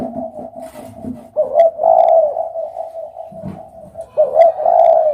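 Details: Spotted dove cooing: low, hollow coo notes held in a steady droning band, with a louder, rougher burst of coos near the middle and again at the end, overlapping fainter cooing underneath.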